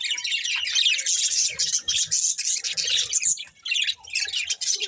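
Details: Budgies chirping and squawking, dense high warbled chatter with harsh, scratchy squawks and a few short whistled notes woven through.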